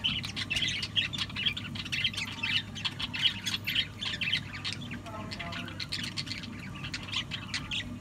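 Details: Continuous budgerigar twittering of rapid scratchy chirps, fairly even in loudness, over a noticeable low background hum.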